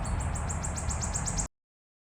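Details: Wood warbler in Minsk, April 2025: a brief burst of evenly repeated, very high ticking notes, the opening of an accelerating trill, cut off abruptly after about a second and a half, with low background rumble.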